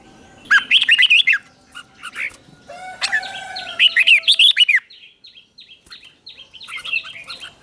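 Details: Red-whiskered bulbuls singing at morning training, competition-style: repeated bubbly phrases of rising and falling notes alternate with a lower, harmonic drawn-out call and short clipped chirps.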